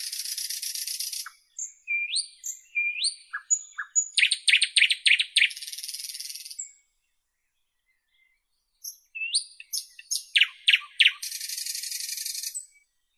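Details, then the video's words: Common nightingale song in two bursts of rapid buzzy trills, rising whistles and loud repeated chooks, separated by a brief pause. "Nightingale Birdsong"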